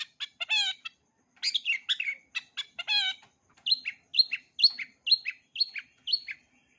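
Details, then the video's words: Full-repertoire song of a long-tailed shrike meant for young birds to learn: harsh harmonic notes and chirps, then a regular series of about seven short downslurred whistles, around two per second. "Cendet isian lengkap, COCOK untuk CENDET MUDA belajar BUNYI, JITU dan GACOR"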